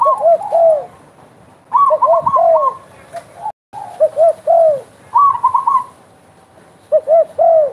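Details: Spotted dove calling actively with repeated low phrases of two short notes and a long falling coo. A higher, quicker run of coo notes overlaps at times, and there is a brief gap midway.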